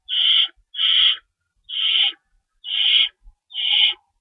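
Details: Owls at a nest during feeding time at 3:53 AM on 25 March 2012, two rabbits stored as prey: five harsh, hissing, raspy screeches, each about half a second long, repeated roughly once a second, with short gaps of silence.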